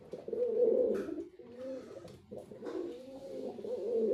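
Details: White male pigeon cooing: low, throaty rolling coos repeated in uneven bursts, with brief pauses between phrases.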